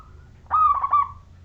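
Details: Zebra dove of the local wild Majapahit type, singing to draw other doves into song. A faint coo, then a sudden loud burst of pulsed, trilling coos that fades after about a second.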